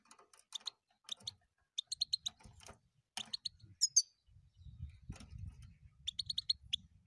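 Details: Singing European goldfinch gives high, sharp chirps in short twittering groups throughout, over low rumbling and crackling background noise in the second half.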